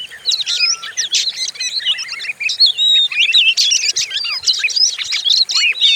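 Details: Fierce-sounding Oriental magpie-robin song played as a lure for training other birds: fast, varied phrases of slurred whistles, buzzy notes and clear rising and falling tones, almost without a break.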